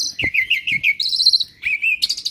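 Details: Asian pied starling, a kept bird described as never quiet and clever at copying other birds, giving a quick run of high chirps and warbled notes with rising and falling whistles. One louder burst at the end.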